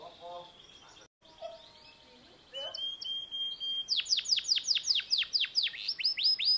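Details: Canary song, opening with quiet low notes and a sustained whistle, then a loud run of rapid downward-sweeping notes repeated steadily to the end.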